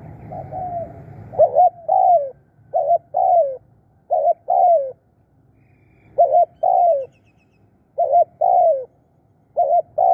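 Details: Spotted dove calling as a decoy to lure other birds, repeating a short hooked note followed by a longer descending coo in irregular pairs about every one to two seconds, with a low rumble at first.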